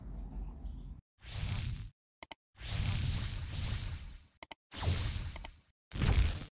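Bursts of whooshing, thumping handling noise separated by silent gaps, with no animal voice audible.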